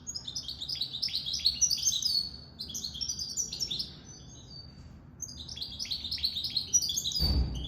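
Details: Hybrid goldfinch-canary mule delivering rapid twittering phrases of high chirps and slurs, broken by a short pause mid-way, then resuming before a dull thump near the end.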